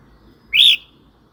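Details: Red-whiskered bulbul phrase played to stir up new or wild birds or train young ones; one rich, rounded whistle that climbs and then eases down, about a quarter second long, with soft low rumble behind.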